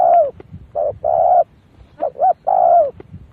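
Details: Decoy spotted dove calling to draw in wild doves. Deep, resonant coos come in a quick run: a falling coo, then a short note and a drawn-out rolling coo, then two clipped notes and another long, sliding coo.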